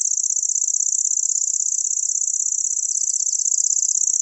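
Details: Continuous high-pitched insect-like reel of a grasshopper warbler (Locustella), very fast and even, with no pauses over the whole stretch.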